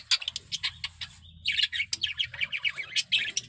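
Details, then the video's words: Male budgerigar in strong breeding condition singing: a rapid warbling chatter of short chirps, clicks and scratchy notes, with a brief pure whistle before a denser burst of twittering. "Suara Burung Parkit Jantan || BIRAHI PARAH"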